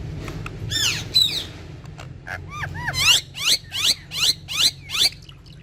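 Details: Pair of ringneck parrots, said to speak Urdu, interacting and dancing together; a few scattered squawks, then a run of six loud, arched, hoarse screeches repeated roughly every half second over a faint low hum.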